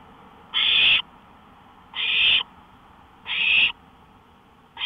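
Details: Owl out on a porch at 1:53 AM on May 5, 2013, giving harsh, hissing half-second screeches repeated about every 1.4 seconds, with three full bursts and a fourth starting, over a faint steady background hum.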